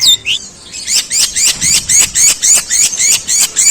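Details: Long-tailed shrike giving harsh sparrow-style calls, the tembakan gerejaan: rising, squeaky chirps repeated steadily about four times a second, bright and high-pitched throughout.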